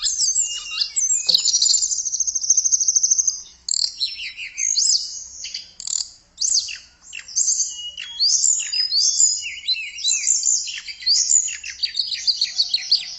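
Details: Continuous, energetic singing from a tledekan (blue flycatcher): dense jumbled high chirps, rapid trills and descending slurs, rising and falling in loudness with short breaks.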